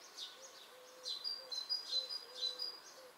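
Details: Long-eared Owl chicks in Krasnodar Krai, Russia, give high, thin, squeaky calls, like a creaking gate, overlapping and repeated about twice a second. A faint low steady whistle sounds behind them.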